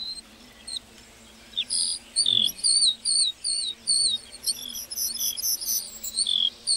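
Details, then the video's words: Lark singing in a meadow: rapid high twittering phrases and short warbled notes, bursts coming quickly with brief gaps, all bright and high-pitched over a quiet background. "Singing lark in the meadow"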